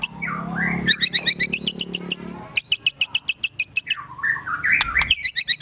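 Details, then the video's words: White-rumped shama in agitated full song (gacor emosi), its repertoire filled with rasping besetan and imitated sogon and kunti phrases; a few slurred whistles, then long fast bursts of sharp, evenly spaced chipping notes, almost four per second. "Murai Batu Gacor Emosi Isian Besetan Tembakan Sogon, Kunti Dll."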